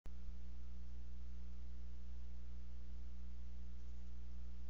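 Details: Steady low electrical hum with faint tonal lines under a quiet indoor background; no calls from the bald eagle nest.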